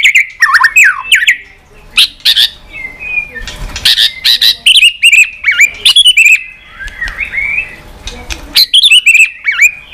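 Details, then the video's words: Fired-up White-rumped shama in contest singing, its tail flicking: a rapid jumble of sharp whistles, twisting slurred notes and harsh chattering bursts, broken by short pauses and faint rustling. "chòe Lửa đập đuôi tạch kích căng, kích Chòe Lửa hót đấu căng lửa.chòe Lửa hót giọng dài"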